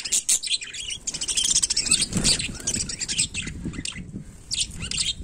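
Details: Budgerigar during daily life, continuous scratchy high chatter and chirps mixed with low thumps and rustling, several overlapping bursts throughout.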